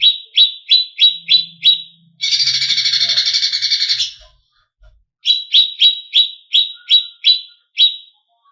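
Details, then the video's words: Greater green leafbird, a contest bird, in agitated varied song. Quick, sharp chirps give way to a two-second harsh buzzing rattle, then more chirps with short pauses. Faint low noise sits in the background. "Cucak Cungkok Istimewa ~ Full Isian Variasi ~ Pancingan Cucak Cungkok Emosi"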